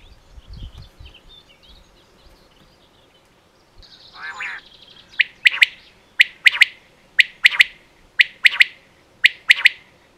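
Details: Female quail in Pakistan: after a quiet opening with a buzzy note, crisp high calls follow in steady pairs, about one pair every second, clear against a quiet background.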